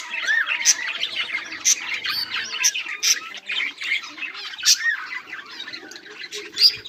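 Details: Several budgies chatter on 18 July 2023, mixing rapid warbled chirps, short rising whistles and scratchy squawks in a steady overlapping stream.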